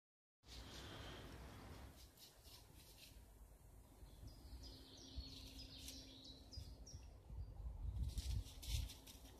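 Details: Birdsong on a morning in woodland: short, high chirps and thin whistled notes come in scattered bursts, loudest around the middle, over a steady low rumble and some broad rustling and snuffling noise near the end.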